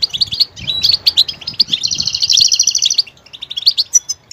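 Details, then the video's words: A goldfinch switches between different sounds, from scattered high chirps into a sustained rapid buzzing trill lasting about a second, then back to separate twittering notes. "motivational ringtones that will take you on a journey with goldfinch"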